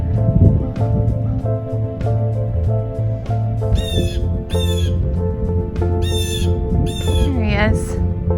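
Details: Blue Jay perched high in a tree in the snowy Niagara Botanical Gardens, Canada, in winter, calling its companions with about five harsh, rasping squawks, partly buried under background music and a man's voice.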